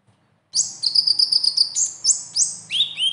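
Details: Konin sunbird besetan used to spark a silent captive konin into song: after a brief quiet start, a fast string of high thin chips, then several rising-and-falling notes, the last ones dipping lower in pitch.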